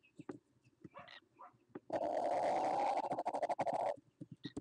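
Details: Laughing kookaburra in Australia bursting into a loud, fast, rattling laugh for about two seconds, a dense run of pulsed notes, framed before and after by quieter scattered chuckles and clicks.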